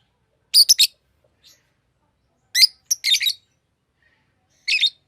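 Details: A green Fischer's lovebird sings and chirps, giving sharp, shrill chirps and squeaky notes in short bursts of two to four, spaced by brief pauses, in a quiet room.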